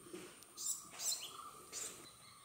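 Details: Male purple sunbird in courtship song, seen close while taking nectar: a few sharp, high, buzzy bursts about half a second apart, with softer lower whistled notes between them and faint background hiss.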